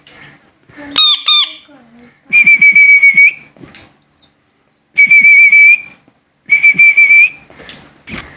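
A parrot gives two short, rising squawks, then three long, steady, high whistles about a second each, with soft scratchy rustling underneath.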